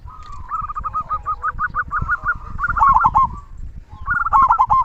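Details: Local zebra dove with a strong "kung" voice, used to prompt quiet doves to sing: a long run of rapid rolling coos, then two warbled phrases, over low background rumble.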